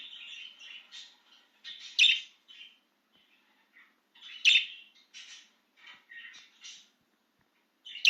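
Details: Budgerigar chirping with excitement while out of its cage: busy clusters of scratchy, warbling chirps and squeaks, with several louder sharp notes standing out, in a quiet indoor setting.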